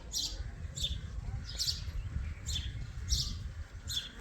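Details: Indian ringneck parakeet baby making harsh, high chirps, one burst about every two thirds of a second, fairly even, over a low steady hum.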